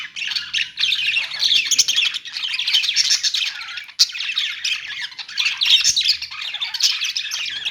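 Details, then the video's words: Nearly continuous chatter from a flock of budgerigars in a pet store: layered, grating chirps and squawks with a single sharp knock partway through. "parakeet chirping sounds in pet store"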